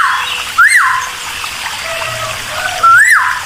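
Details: Cucak timor song meant to stir other birds into answering: two loud rising-then-falling whistled notes separated by a long pause, set against continuous running water.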